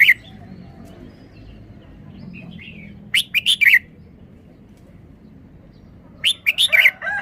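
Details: Cage-kept red-whiskered bulbul delivering its sweet three-syllable song, with a short loud phrase of quick whistled notes about every three seconds and faint chattering between phrases, against a quiet low hum.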